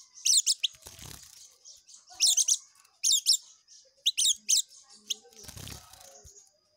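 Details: Oriental white-eye delivering rapid ngekek song: repeated loud bursts of high stuttering notes every second or so, linked by a soft fast buzzy trill, with short thumps of noise.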